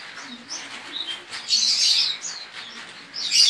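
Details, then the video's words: Competition Javan white-eye from Pontianak, West Kalimantan, singing in an online contest; high, thin chattering notes build into a dense, loud twitter midway and again at the end. "LOMBA PLECI ONLINE 23 - Aksi Pleci"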